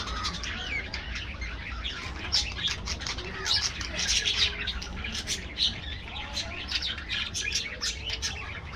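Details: Budgies in an aviary colony keep up continuous flock chatter, rapid overlapping chirps, squawks and warbles throughout, densest around the middle, with low hum underneath.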